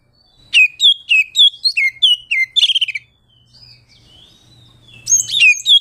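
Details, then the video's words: Oriental magpie-robin song meant to call a rival and rile other birds; loud descending whistled notes in rapid series, a brief rattle, a quiet pause with faint whistles, then a burst of harsh chattering notes. "Suara burung Kacer ngeplong memanggil lawan bikin emosi"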